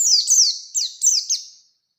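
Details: Oriental white-eye singing in a lure recording meant to trigger rival-challenging song: rapid high-pitched twitters with downward-slurred notes, a few quick bursts fading out.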